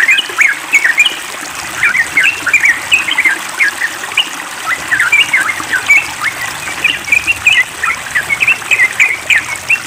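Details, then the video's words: Yellow-vented bulbul (trucukan) chattering noisily during water therapy, pouring out rapid short chirps and warbled notes in quick bursts with brief pauses, over a steady rush of trickling water. "Trucukan Ribut"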